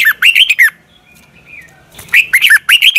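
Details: Red-whiskered bulbul morning song used as training audio: lively bursts of bright, slurred chirps, a brief soft warbling pause, then a longer rapid phrase of ringing notes.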